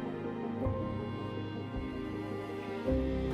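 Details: Soft, sustained instrumental music with layered tones plays throughout, and no animal call is heard.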